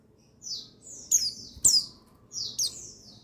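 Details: Short run of a male buxtoni white-eye's lure song: four or five thin, high whistled notes slurring downward, one louder sharp chip in the middle, over a soft low hum.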